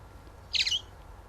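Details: A Chalk-browed Mockingbird mimics a house swallow, giving a quick, high, scratchy twitter about a third of a second long over faint background hiss.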